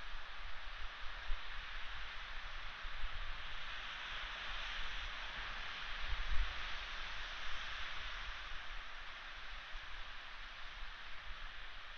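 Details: Steady broadband wind-like hiss with a low rumble and no animal calls.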